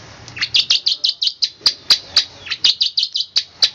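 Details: Long-tailed shrike singing a fast, tight 'roll speed rapat' sequence: crisp, sharp chirps repeated steadily, about four per second, over a faint low background hum.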